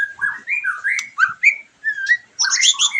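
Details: White-rumped shama, recording for stimulating a bird after moulting; short rising and falling whistled notes in a quick series, ending in a dense burst of high chattering.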